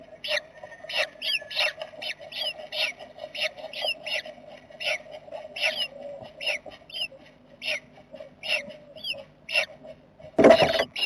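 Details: Jackdaw family inside a nest box, 7 May 2020, making a continuous stream of high, thin squeaks and some rougher notes at an irregular rapid pace, ending with a loud broad rustle or scrape.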